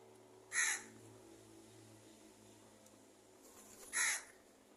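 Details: Crow giving angry calls: two loud, harsh, rasping caws about three and a half seconds apart, each brief and rough-edged, with faint low hum between them.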